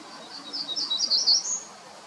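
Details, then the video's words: Black-throated grey warbler singing: a brief series of high, buzzy, wheezy notes that climb in pitch and end on a sharper upslurred note, lasting about a second and a half over faint background hiss. "Black throated Grey Warbler"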